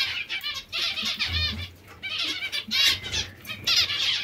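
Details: Hungry zebra finches beg with dense, rasping, nasal calls repeated in surging bursts about every second, plus low thudding sounds.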